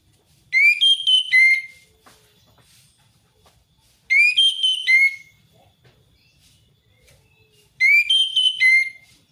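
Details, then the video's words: Orange-headed thrush singing in the ngeplong ngalas style, used as a lure to prompt a reluctant thrush to sing: three bright, whistled phrases of quick rising and falling notes, each about a second long, repeated roughly every three and a half seconds. "Anis merah ngeplong ngalass"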